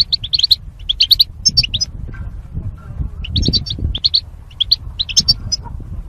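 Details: Caged goldfinch, kept with a mating partner for singing training. Quick, high, tinkling twitters and chirps come in two dense bursts of about two seconds each, split by a short pause, over a steady low rumble.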